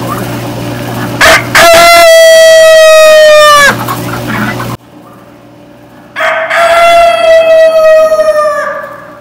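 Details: Domestic rooster crowing on a farm: two loud, long, strained crows, each rising sharply and then held as a harsh sustained tone before breaking off, separated by a short quiet gap with steady low hum.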